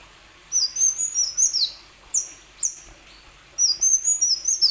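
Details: Plain sunbird song, played to coax other sunbirds to sing: a quick twittering run of high notes, then two isolated, sharply falling chirps, then another fast run of high, slurred notes.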